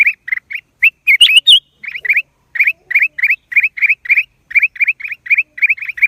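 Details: Black-crested bulbul calling: crisp, upslurred chirps repeated in rapid pairs and triplets, about three per second, with a brief burst of higher squeaky notes early on; loud and clean, no other sounds.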